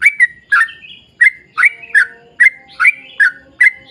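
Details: Lure song of a yellow-vented bulbul in energetic 'gacor' style: short gurgling notes, some paired, spaced a little under half a second apart, each bending up then down, with brief gaps between groups.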